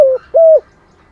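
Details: Caged decoy spotted dove of the 'giọng thổ' style ending a phrase with two clear, mellow coos, the second longer and steady before dropping off.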